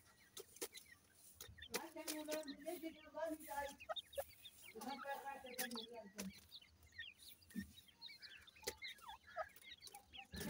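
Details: Captive grey francolin chicks being fed, giving many short, high, rising peeps in busy overlapping bursts, with lower harmonic clucking or voice-like sounds in the middle and sharp taps throughout.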